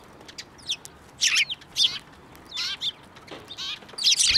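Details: Sparrows at a Tenmangu shrine on 15 March 2024, flying onto a hand to be fed; scattered bright chirps come in quick bursts with gaps between them.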